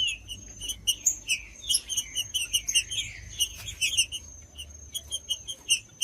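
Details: Green-winged saltator song meant to warm up other saltators of tournament breeders; a dense stream of quick whistled notes and slurs, rising and falling, with some wing-like flutters and low background hum.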